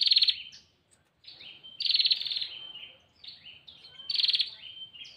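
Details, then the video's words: Bar-winged prinia female calling the male: three harsh buzzy bursts, each trailing into a thin falling whistled note, spaced about two seconds apart with quiet gaps. "Suara burung prenjak betina memanggil jantan"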